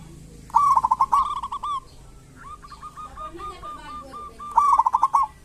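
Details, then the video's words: Local zebra dove with kerot and bekur song, used to provoke quiet doves into singing. A loud pulsed coo phrase opens, a longer softer string of even notes follows, and a second loud burst closes. "Pancingan perkutut lokal gacor cocok buat perkutut lokal susah bunyi"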